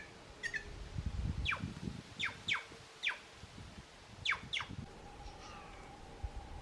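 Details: Plush-crested jay (Cyanocorax chrysops) flock feeding at Arapongas, Paraná, Brazil, giving sharp, steeply falling whistled calls, singly or in quick pairs, about eight in six seconds, over a low background rumble.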